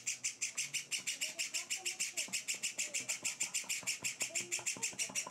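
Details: Several hand-fed Java sparrow chicks beg loudly, kept indoors on their fourth day in a new home: a fast, very regular stream of harsh, high, raspy chips, about three per second, with faint talking below.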